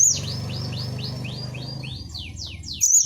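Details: Varied 'bongkar isian' song of a gelatik batu, the cinereous tit, meant as a training recording for caged birds. A series of clear descending slurs repeats about three times a second over a steady low hum.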